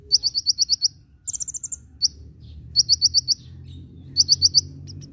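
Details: Kolibri ninja sunbird in a master recording for training cage birds, gacor nyecret nembak style: rapid runs of sharp, very high chips in bursts of five to seven, plus one higher trilled burst, over faint low background hum.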